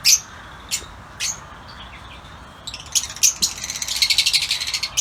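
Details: Yellow lutino Fischer's lovebirds kept in an outdoor aviary give spaced, piercing high chips, then a rapid run of shrill twittering chatter that builds toward the end.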